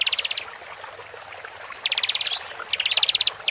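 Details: Horsfield's bush lark pair, male and female, used to help newly caged birds settle: three short bursts of quick buzzy rising trills, each under a second long, separated by pauses with faint background hiss.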